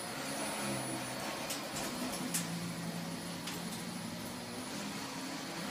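Continuous broadband rushing noise like a fan or vacuum, with faint low hum and a few clicks, and no animal calls.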